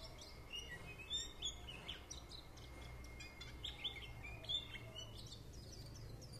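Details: Warbling white-eye song: bursts of sharp, high twittering notes and short slides, delivered in quick irregular clusters over about six seconds, with a faint low rumble underneath.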